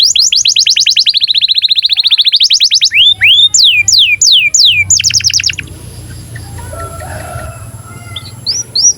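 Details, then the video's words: Breeding-condition canary song used to coax young canaries into singing and rolling: a long, fast, even trill followed by sweeping downward whistles and a short rattle, then fading to quiet background hiss with a few faint notes. "KENARI GACOR Cuit CUIT BIRAHI UNTUK PANCINGAN & MASTERAN Kenari PAUD AGAR BUNYI DAN NGEROL"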